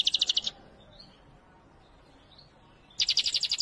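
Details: European goldfinch, the Wedani type, giving fast buzzy rattling trills of about eight pulses in half a second, heard at the start and end with a quiet gap between.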